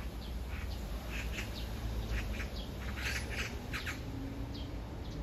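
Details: Rasping magpie chatter, part of a long love song aimed at a partner only metres away; repeated harsh notes in loose bursts across the whole stretch, wind rumbling underneath.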